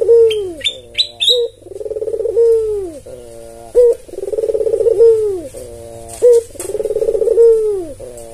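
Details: Albino white Barbary dove, tame and calling steadily, used as a lure and as a tutor for lazy doves. Three calls about every two and a half seconds, each clipped note, rolling trill and long descending coo, after bright chirps from small birds at the start.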